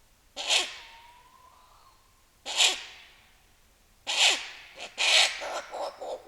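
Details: Female tawny owl at night in a forest in northern Romania, exchanging calls with a Ural owl, gives harsh hissing screeches about every one and a half to two seconds. The last come in a ragged cluster, with a faint thin whistle early on.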